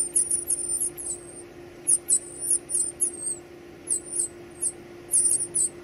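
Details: Chicks beg while being fed, producing shrill, thin squeaks in rapid series, some notes sliding downward, arriving in bursts about every half second, with a faint constant hum behind.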